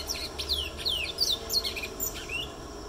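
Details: Brown twa twa singing a quick series of high, clear whistled notes, each sliding downward, about seven in three seconds, with a faint low hum beneath.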